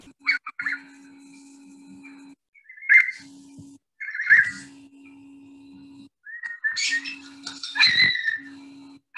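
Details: A Eurasian curlew (Numenius arquata), a bird of uplands and coastlines, calls with rising, slurred whistles: a few short bursts, then a louder run near the end, over a steady low electrical hum.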